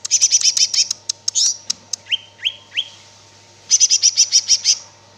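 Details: Cicak ijo, the greater green leafbird, singing gacor: a fast rattle of high chips opens, three separate rising whistles follow, and another quick chip series closes the phrase.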